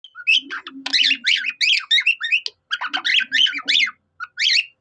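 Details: Pet budgerigar singing like a cockatiel: dense bursts of chattering, squeaky warbled notes with rising and falling whistles, in quick phrases separated by short pauses, over a faint low hum.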